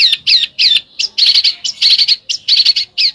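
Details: A bird giving besetan song, a sharp, high chirping. Short clustered bursts of two or three quick notes are separated by brief gaps, making a choppy, insistent rhythm.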